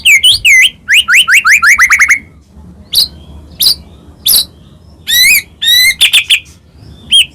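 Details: White-rumped shama, Medan type, singing to provoke rival shamas: a quick series of upslurred whistles, then spaced single high notes and short warbled phrases with silent gaps.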